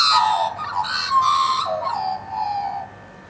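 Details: Australian magpie in a group of about 20 scavenging a bone and being fed meat: a rich, warbling run of gliding, flute-like notes rising and falling over about three seconds before trailing off.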